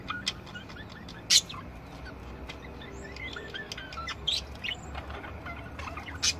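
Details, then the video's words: Several budgerigars softly warbling: short curved whistles and chirps drifting among occasional sharp clicks, fairly quiet overall with a few louder ticks. "Chant perruches"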